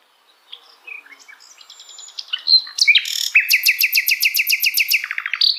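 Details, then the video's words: Song of a Sikatan Londo flycatcher: soft scattered twitters build into a bright, fast series of about a dozen evenly repeated sharp notes, delivered over roughly two seconds. "Kicauan Ajaib Suara Burung Sikatan Londo dalam Berbagai Situasi"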